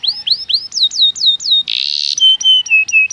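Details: Canary singing, used as a lure to draw other canaries into song. Repeated rising whistled sweeps turn into falling slurred notes, then a brief buzzy burst, then sharp whistles that drop steeply. Clean, with no background noise.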